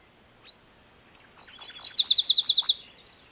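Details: A single short chip from a MacGillivray's warbler, then its song: roughly a dozen quick two-part high notes that grow louder and stop cleanly, leaving quiet.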